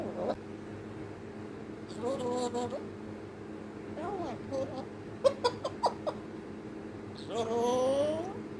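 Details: African grey parrot talking: brief speech-like phrases with voiced, harmonic tone, some wavering and sliding, a drawn-out rising utterance near the end, a few sharp clicks in between, over a steady low background hum.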